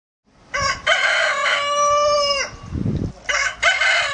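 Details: Rooster crowing loudly: a harsh, rich crow in three parts ending in a long held note that drops at the end, a short low noise, then the start of another crow.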